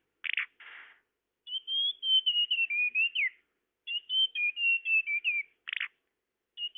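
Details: Bird-luring tledekan call: two harsh buzzy chips open, then two long whistled phrases of sweet sliding notes with a falling end, and another rasping chip after them.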